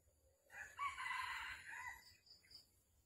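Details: Red junglefowl at a Vietnamese trapping site on the morning of 13 December 2021, where a hen call lures a rooster: a harsh, hoarse crowing phrase over low rumbling noise, followed by faint high chirps.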